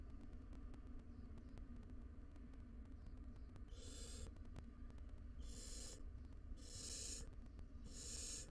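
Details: A wild barn owl family of two adults and three young at their nest box. After a quiet start, four harsh, breathy screeches grow more frequent, coming about every second toward the end, over a steady low hum.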